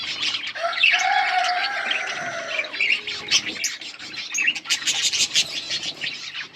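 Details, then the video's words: Chirping budgerigars on August 15, 2024: constant high chatter and squeaks, overlaid early by a long, smooth lower whistle lasting about two seconds, then choppier twitters. "Budgies sound for lonely birds birds chirping sounds"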